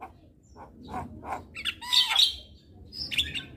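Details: Javan myna song used as a lure: soft low notes over background noise build into a burst of high chattering whistles around the middle, with a few more sharp notes at the end.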